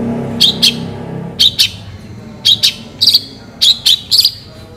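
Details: Long-tailed shrike singing with piercing, rasping high notes in pairs and triplets at uneven intervals, with a faint low hum and murmur in the background at the start.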